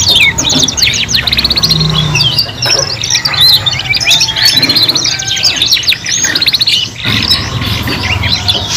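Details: Continuous three-in-one canary singing meant for young birds learning to sing: dense rolling trills and twittered phrases, one short break near the middle, low hum in the background.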